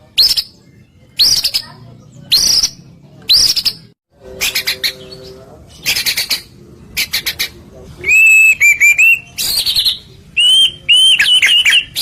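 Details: White-rumped shama song played to make other shamas answer: harsh scratchy bursts repeated about once a second, then ringing whistled notes with quick up-and-down inflections.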